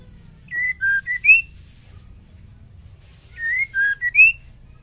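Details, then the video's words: Female white-rumped shama singing to provoke male shamas: the same phrase of four clear whistled notes, the last one rising, given twice about three seconds apart over a quiet low hum. "Murai betina gacor ampuh untuk pancingan"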